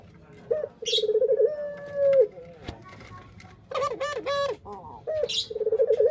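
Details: Low cooing from a male puter pelung dove, performing a dance as it sings: pulsing, tremulous notes swell into a long sustained tone that bends downward, then wavering hooting coos and a fresh pulsed burst. Occasional high scratchy chirps behind.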